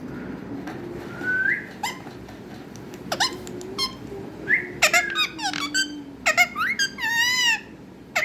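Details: Captive parrot indoors in a small room, producing clear speech-like vocalizations: brief rising whistled sweeps and squeaky harmonic syllables in short bursts, with a denser run of chattering notes late on and a faint low hum underneath.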